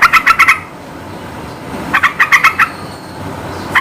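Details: Lively yellow-vented bulbul song played to provoke reluctant birds into replying: short bursts of rapid, bright, bubbling notes, around five to seven per burst, separated by brief pauses, with a quiet noisy background.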